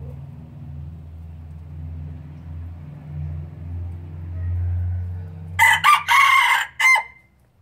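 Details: Pure Laos red junglefowl breeder bird recorded in 2016, crowing: a low steady hum fills the first seconds, then a loud broken crow of four quick harsh segments, the third longest, ends abruptly.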